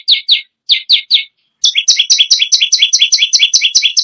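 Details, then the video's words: Bar-winged prinia singing persistently: a few separate downslurred high notes, then a fast steady series of sharp doubled chirps repeated several times per second. "BURUNG PERENJAK BAWAH/LUMUT GACOR NGAMUK PARAH"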